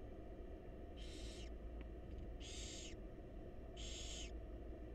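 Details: Three evenly spaced raspy hisses, each about half a second long, from wild barn owl chicks begging during feeding by their mother in a nest box, over a low steady hum.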